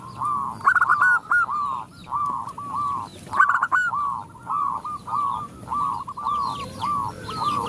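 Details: Zebra doves, a female calling to males while the others respond, giving rapid staccato cooing notes in overlapping series, several birds at once, with higher thin chirps of small birds behind.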